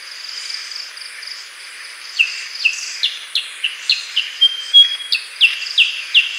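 Black-headed bulbul giving a run of short, bright whistled notes, about three per second, over a steady high hiss of insects.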